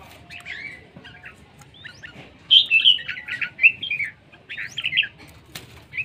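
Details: Red-whiskered bulbul, praised as beautiful and fierce, singing quick bright warbled phrases of short whistled notes. The notes rise and fall, coming in bursts with brief gaps, over a faint low background hum.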